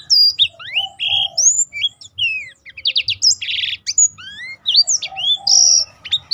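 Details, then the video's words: Lively Black-throated canary song to stimulate and teach other birds: rising whistled slides, a buzzy rasp mid-phrase, crisp chirps and rapid trills in a continuous, varied flow. "burung blackthrout lain pun ikut tergoda berbunyi."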